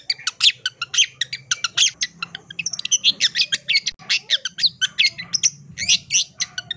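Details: Long-tailed shrike delivering a full isian fill-in song, gacor style: continuous rapid harsh, buzzy chatter with squawky bursts packed closely together and a steady low background hum.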